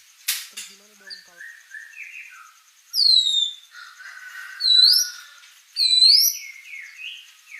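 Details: White-rumped shama singing: soft low phrases, then three loud, clear upward-sweeping whistles repeated about every 1.5 seconds, mixed with quieter chattering notes.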